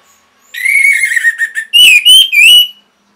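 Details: Caged-bird stimulation song of an orange-headed thrush: a sustained warbling whistled phrase, then three loud, slurred, rising-and-falling whistled notes in quick succession.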